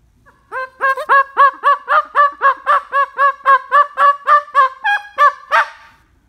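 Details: Pet cockatoo imitating a dog, giving a fast run of high-pitched, hoarse, yapping barks about four per second.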